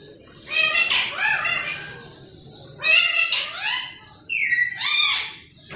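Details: A pet green parrot talks like a person: three gravelly, voice-like phrases with rising and falling tones, the last including a clear whistled slide.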